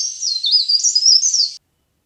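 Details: Leaf warbler used as a lure for trapping birds. A continuous, high, rapidly warbling phrase of undulating thin notes runs for about 1.5 seconds, then stops; the background is silent.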